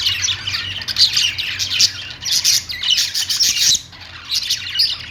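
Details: Several pet budgerigars chatter together in quick, squeaky chirps and rasping warble phrases, the flock's babble pausing briefly near the end before resuming, with a low background hum.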